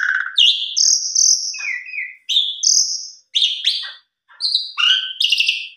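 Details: Asian pied starling giving full lure song: a mix of clear high whistles, buzzy mid-pitched phrases and scratchy chirps in short bursts separated by brief pauses.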